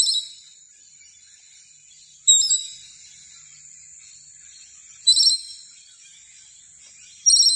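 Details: Scaly-breasted lorikeet giving harsh, high, grating screeches in three short bursts about two to three seconds apart, with a faint thin high tone between them and otherwise quiet surroundings.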